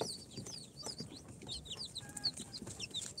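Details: Newly hatched incubator chicks, four days old, of Sultan, Golden Sebright, Cochin and booted breeds, calling with scattered sharp, high, descending peeps. A brief faint tone and some rustling are also heard.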